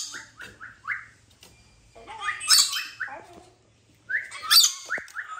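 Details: A pet rainbow lorikeet gives bursts of short, rising chirps and harsh, screechy squawks in quick runs, with a louder chattering flurry near the middle and end.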